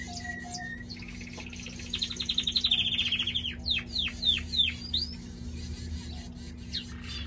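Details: Pet canary singing: a couple of plain tones, then a fast pulsing trill rising in strength, followed by quick descending slurred whistles spaced about half a second apart, over a low hum.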